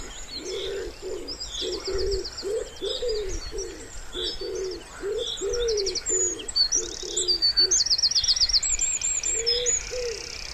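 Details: Wood pigeon by a calm pond in spring, cooing steadily in a rolling series of deep, breathy hoots with a brief pause near the end, over lively high-pitched trills from other birds.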